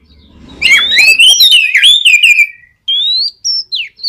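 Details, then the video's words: Oriental magpie-robin in full song, used to stimulate other magpie-robins to sing; a dense run of slurred, warbling whistles, a pause, then a long level whistle and a downslurred note. "SUARA BURUNG KACER GACOR NGEPLONG BUAT MEMANCING KACER BAHAN AGAR LEKAS BUNYI NYAUT & GACOR!"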